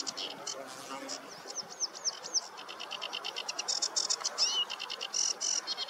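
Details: Sedge warbler singing on a meadow on a warm morning, 2 July 2024: a fast, continuous song of dry, repeated clicking and buzzy notes, broken by sharp upward-slurred whistles, in rapid varied phrases.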